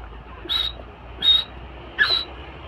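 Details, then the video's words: Female francolin (teetar) kept for breeding gives three short, sharp high notes about three-quarters of a second apart over a low steady background hum. "teetar ki awaz"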